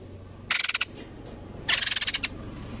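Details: White-crested laughingthrush, used as a lure sound, giving two short bursts of harsh, scratchy, rapidly pulsed chatter about a second apart over a faint background hum.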